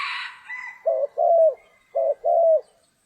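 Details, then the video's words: Spotted dove coos during trapping in rainy storm weather; two pairs of low mellow notes, short then longer and slightly falling, follow a brief higher crowing-like sound at the start. "Chim cu gáy"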